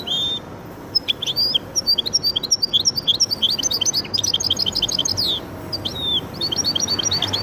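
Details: Cross between goldfinch and canary pouring out a lively stream of high chirps, buzzy trills and rising and falling whistles over a faint background hiss.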